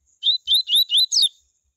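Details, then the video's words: Double-collared Seedeater delivering its tui tui song, intended to provoke other seedeaters into singing. Five crisp whistled syllables in just over a second, slurring upward, the final one a sharp downward sweep. "COLEIRO tui tui A MELHOR CAMPEADA para ESQUENTAR COLEIROS"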